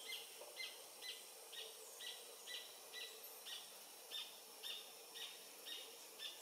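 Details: Adult Paradise Jacamar of subspecies dea, sex undetermined, singing at 11:00 on 8 November 2023 near the Comte (Oyak) river, French Guiana, filmed with a Panasonic FZ300; thin high notes repeated about twice a second, evenly spaced, fairly faint over soft forest hiss.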